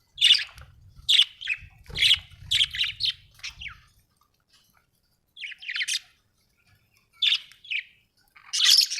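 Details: Happy budgie chirping: sharp high chirps and short scratchy warbles in clusters, a low hum underneath during the first half, then sparser calls after a short silence.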